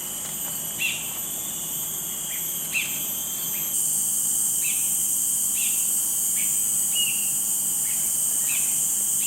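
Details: Cinereous Bulbul in Singapore, a rare non-breeding visitor, calling non-stop in a talkative mood. Its partner is heard now and then. Short, clear, down-slurred notes recur every one to two seconds over a loud, steady insect drone.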